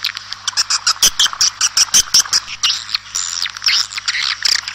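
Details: Swiftlet flock calls outdoors: a quick series of high, squeaky chirps and ticks at an uneven pace, then a stretch of longer raspy twittering. A constant low hum is audible.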